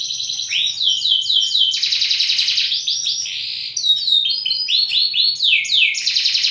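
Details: Bottle-green canary singing a fast, dense song of repeated downward-sweeping high notes, chained into rapid trills and rolls, with bright whistled slurs near the end.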